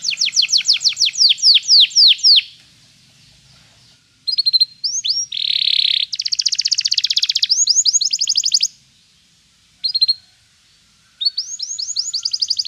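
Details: Canary singing as a training song for pet canaries: rapid trills of descending notes, a pause, then a buzzy rattle and a fast dense trill, followed by short bursts of trilling after brief silences.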